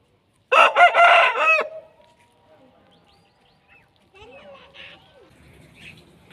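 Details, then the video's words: An Aseel rooster gives one loud, hoarse crow of about a second that breaks into a falling, drawn-out tail; faint rustling and distant noises follow. "Aseel Roosters Crowing"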